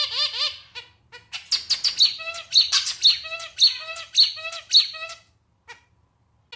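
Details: Clarinet-style song of a male zebra finch, compared to a small, somewhat out-of-tune clarinet: opening rising slurred notes, then a lively run of buzzy stacked notes and a motif repeated six times roughly every half second, ending in two clicks.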